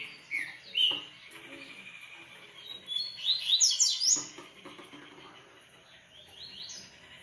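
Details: Captive Coleiro (Double-collared Seedeater) male singing: brief high whistles, then a fast burst of sharp sweeping notes near the middle, followed by softer chirps with faint room noise.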